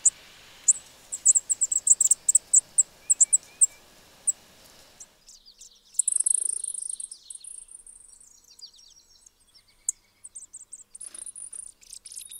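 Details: A Spizella sparrow gives a run of thin, very high chips, then breaks into dry, buzzy high trills lasting a second or two, over faint background hiss.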